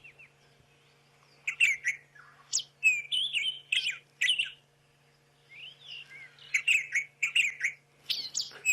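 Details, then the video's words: White-throated robin-chat, a great mimic, in South Africa on a 9 September 2016 sunrise drive, sings rich, varied warbled phrases with quick rising and falling notes, in bursts between short pauses, over a low steady hum. "now Robins are great mimics"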